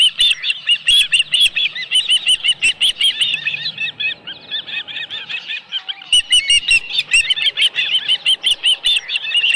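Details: At a ranch nest holding a live fish, an osprey calls in long bursts of high, piercing chirps, quick and evenly spaced, easing briefly in the middle before resuming at full intensity.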